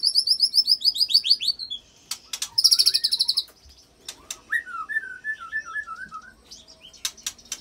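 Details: White-rumped shama song with mimicked cililin and canary-roll fills, used to spur other shamas to sing; fast high buzzy trills open and recur, followed by a run of lower, evenly spaced whistled notes and sharp clicks.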